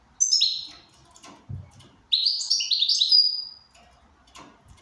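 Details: Goldfinch, described as in good condition, singing two bursts of high, rapid twittering notes with buzzy, descending trills, separated by a pause with soft clicking and low rustling.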